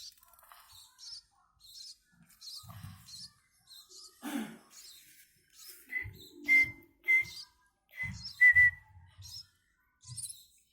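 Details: Baby munias (pipit) being hand-fed give thin, high, short cheeps and a few clear whistled notes in uneven bursts, with soft handling thumps and rustles between them.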